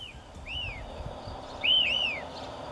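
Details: White-crested elaenia (Elaenia albiceps), a migrant breeding in Chile in spring-summer in woods and dense scrub, giving its repetitive 'fio' song: clear, slurred whistles that arch up then fall, a single note then a quick double 'fio-fio', over a faint low rumble.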